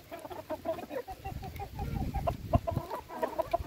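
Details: Hens at feeding, a flock clucking busily in short sharp notes, several per second, with low thuds and rustling below.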